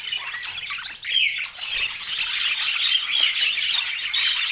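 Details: Budgerigars twittering in quick, irregular high chirps and squeaky warbles, dipping briefly near the first second before the chatter swells again.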